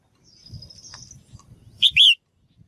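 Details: Female bird calling to stimulate males to sing actively: a loud, clipped two-part chirp, a short high note then a longer note sliding downward, after faint high thin whistles and soft low rustling.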